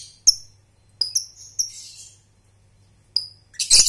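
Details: Young lovebird (Balibu/paud) on a training lure recording; a few short, sharp, high whistled chirps spaced by silences, a brief fuzzy note near two seconds, ending in a loud harsh burst.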